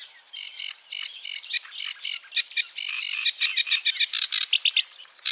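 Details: Sedge warbler song: a fast, scratchy chatter of harsh rasping notes in rapid succession, varied and churring, ending with a clear rising-then-falling whistled note.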